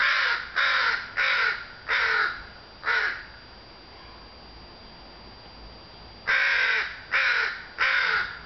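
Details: Crows cawing in early June afternoon sunshine: five quick rough caws, a pause of about three seconds, then four more.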